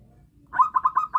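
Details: Brief phrase from a local zebra dove kept as a lure for trapping: five soft, rounded coo notes in rapid sequence, evenly spaced, in near silence.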